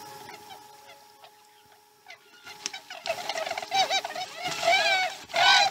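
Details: Osprey at a Chesapeake nest, slow-starting morning feeding, 2019-12-12: near-quiet opening with scattered faint clicks, then rising, increasingly loud strings of shrill chirping calls toward the end; steady hum beneath.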